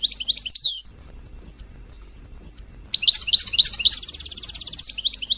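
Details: European goldfinch; song; to stimulate other goldfinches to sing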